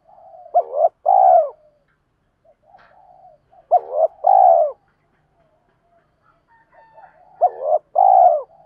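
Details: Cooing of decoy spotted doves, used to lure wild birds quickly: three evenly spaced low phrases, each pairing a short clipped note with a longer rounded coo, separated by quiet soft notes.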